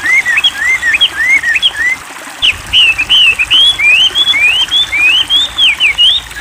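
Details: Training recording of wambi song, heard as continuous chains of high, sweeping whistled notes, rapid and twisting, with a short pause near the middle before the phrases resume, all over a constant hiss.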